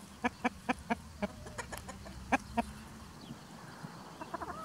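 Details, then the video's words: Hens foraging in spring under a protective white rooster, free ranging; a run of short, evenly spaced harmonic clucks, about six in quick succession, then two more and softer notes trailing off, over low outdoor rumble. "Chicken Sounds ASMR"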